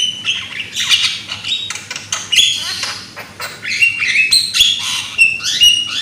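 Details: Young Javan myna with a loud voice, used as a lure to get other mynas singing: dense run of harsh, scratchy notes mixed with short clear whistles and rising slurs, uneven rhythm, no other sounds.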